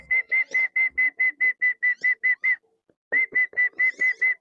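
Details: Tame wandering whistling ducks, released to roam free around swamps and rice fields, give a fast series of clear, even whistles, about five per second, pausing briefly before the run resumes.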